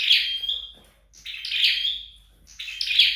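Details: Home-trained scarlet-backed flowerpecker giving three short phrases, each a rasping high burst followed by a clear drawn-out whistle, with near-silent gaps between them.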